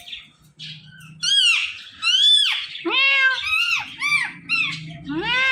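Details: Pet Indian ringneck parakeet imitating a cat's meow, a series of loud, nasal, arching syllables repeated about once a second, each with rich harmonics, in a small room.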